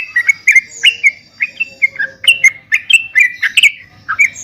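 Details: Yellow-vented bulbul, trucukan, singing so caged birds learn to reply: lively gurgling phrases of short warbled notes, steadily repeated about four per second, with faint high squeaks in the background.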